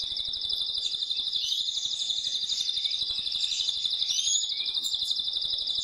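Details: Male canary singing forcefully to prompt the female to mate, one unbroken high buzzy trill held throughout at an even pitch with rapid pulses.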